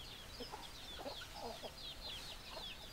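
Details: A flock of chickens called with their favourite food makes busy, overlapping clucks and high squeaky chirps, several calls every second, with no pause between them.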